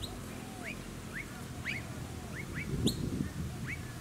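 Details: Blue-faced honeyeater with noisy miners on the Sunshine Coast, Queensland, in August: a run of short, sharply rising whistled notes, about four per second, over steady low background rumble.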